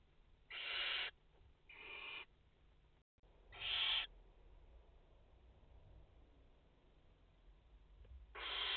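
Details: Barn owls nesting in France, the mother with four chicks, 30 August 2021: three rasping hisses in the first four seconds, a long quiet stretch with a brief dropout, then another screech begins.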